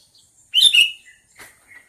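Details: A sooty-headed bulbul gives a loud, sharp double chirp, followed by two softer, thinner notes in otherwise quiet surroundings.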